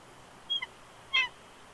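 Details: Male bald eagle protesting as his mate coaxes him off the eggs at a Big Bear Lake, California nest, January 2020; two short, high, thin whistled notes, the second louder, over faint background hiss.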